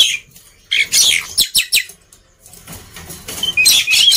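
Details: Scratchy, chattering song of a black-winged myna, for prompting silent birds to sing: a few harsh rasping bursts, a quiet stretch, then buzzy chatter with short clear whistles.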